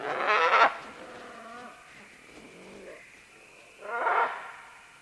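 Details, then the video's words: Harsh, grating squawks from a group of green-winged macaws moving down vines: one loud, rasping call at the start, quiet murmuring between, and a second loud screech near the end. "Green-Winged Macaw. MCU - MD Calls From Several As They Descend Along Vines To"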